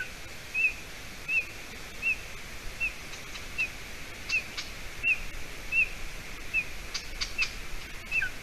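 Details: Golden eaglet at its Latvian nest, 30 June 2020 around 6:20 p.m.; a dozen short, thin high whistles at a steady pace of roughly one every 0.7 seconds over a soft outdoor hiss, with occasional ticks.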